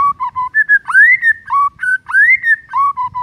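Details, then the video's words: White-rumped shama singing in the morning: short level whistles and a sweeping upslurred note, the phrase repeated about twice in three seconds, loud and clear. "PANCINGAN EFEKTIF di PAGI HARI , 100% bikin murai batu MALAS BUNYI auto BONGKAR MATERI"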